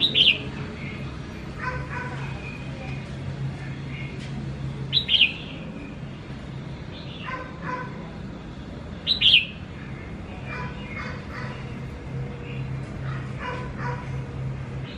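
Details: A tamed captive red-whiskered bulbul, singing and used to people after a week, gives bright, chirpy whistled phrases about every four seconds, with softer mid-pitched notes between over a steady low hum.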